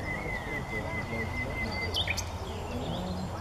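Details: Common nightingale singing at Paxton Pits, Cambridgeshire, on 30 April 2016: a long, steady whistled note held for nearly two seconds, then a few sharp upward-flicked notes over low background rumble.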